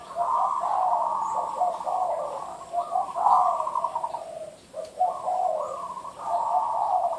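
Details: Derak song of a zebra dove: long runs of fast, purring staccato coos that rise and fall between two pitch levels, broken by a brief pause before the trilling resumes.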